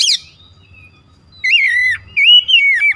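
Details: Oriental magpie-robin song used as a lure to provoke other magpie-robins: a short high note, then loud clear whistled phrases that rise and fall, separated by brief pauses, over a low background rumble.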